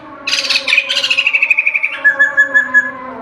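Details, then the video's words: White-crested laughingthrush (poksay jambul putih) singing in full gacor form: a rapid burst of bright notes falls into an even, fast run of clear whistled pulses. Higher clipped notes follow, over a steady low background hum. "Poksay jambul putih lagi tes suara gacor nya bukan maen"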